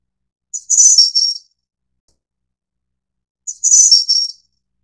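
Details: Two identical high-pitched, buzzy-shimmering phrases from a Snowy-browed flycatcher (Ficedula hyperythra innexa, endemic to Taiwan), each beginning with a brief note and fading in a short trill, separated by about three seconds of quiet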